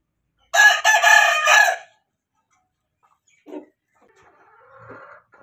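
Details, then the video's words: Aseel chicken crowing in breeding season: one loud, harsh crow, rich in harmonics and lasting just over a second, then quiet with a few faint, short sounds. "New aseel hen crowing sound"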